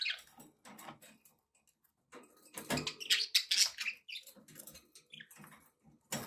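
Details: Kept budgies chatter almost continuously in a busy mix of raspy warbles, clicks and high chirps that swell loudest in the middle.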